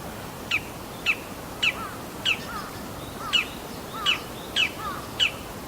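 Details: Male Bull-headed shrike filmed on 28 March 2015 with a Canon PowerShot SX60 HS, mimicking other birds such as sparrows and finches: sharp, high, downslurred chirps repeated about every half second over steady background hiss.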